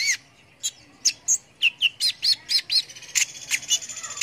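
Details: Energetic song of a kolibri ninja sunbird, used to tutor competition songbirds: isolated high squeaks that speed into a run of evenly spaced, sharp chip notes, ending in a thin, sustained high whistle.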